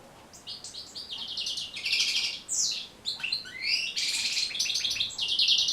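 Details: Rapid goldfinch song meant to coach birds to sing: tinkling twitters run into buzzy, rasping trills and rising slurred notes, building louder toward the end.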